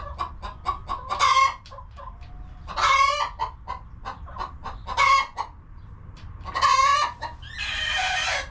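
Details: Homestead chickens settled in a cozy coop: rapid short clucks run between four loud nasal squawks, and a rougher, broader call closes the sequence.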